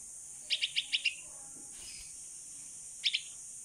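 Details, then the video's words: Hand-raised 16-day-old bulbul fledgling calling for its mother during outdoor flight practice; a quick run of five bright, high, clipped chirps, then after a pause a closing pair, with little other sound. "Baby Bulbul Bird (Pulangga) Calling Mom While Practicing To Fly in the Open"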